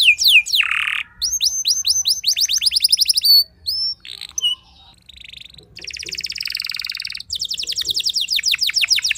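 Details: Canary singing to stir rival canaries into answering: varied high song with a harsh buzzy note, fast rising-falling trills, chattering bursts and rapid repeated upswept notes, nearly continuous and loud.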